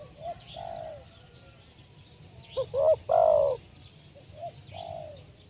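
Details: Spotted doves during trapping with a decoy bird: soft distant coos at the start and end, with a louder close phrase of quick notes and a long coo in the middle, over steady low background noise and faint chirps.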